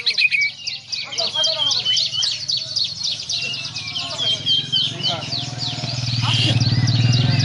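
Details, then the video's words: White-rumped shama, Borneo variety, pouring out a dense, rapid stream of high twittering and whistled notes over a constant low droning hum that grows louder toward the end. "Suara Burung Murai Batu Borneo CODET"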